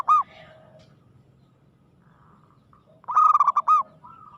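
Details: Aggressive song of a local zebra dove: a single short coo at the start, faint soft notes through a pause, then a burst of quick ringing cooing notes with a looping end.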